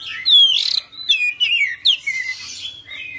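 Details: Oriental magpie-robin (kacer) pouring out full isian, ngerol gacor song: a rapid series of bright descending whistles and buzzy trills, each phrase loud and clear against near silence.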